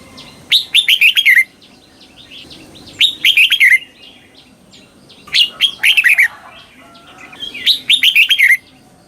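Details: Song of a red-whiskered bulbul in Thailand, a southern-style phrase used to train young birds: four clear bursts of rich, falling whistled notes, each phrase under a second, spaced roughly two and a half seconds apart.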